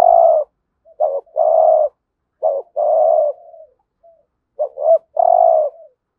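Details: Lure call of a spotted dove used to bring in wild doves, a 'hạp bổi' voice in the 'thúc gù' style. Three cooing phrases follow one another, each with quick short coos, then a longer drawn-out purring coo that trails off.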